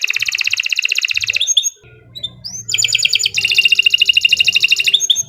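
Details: Canary song for getting other canaries singing: a fast, rattling trill, a short pause with a few soft chips and a rising note, then another long, even, rapid trill.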